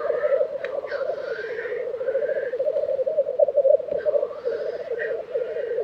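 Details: Continuous low, rolling bubbling of black grouse at a lek, Tiveden, Sweden, April 2023, with occasional hissing, rising whooshes laid over the steady murmur.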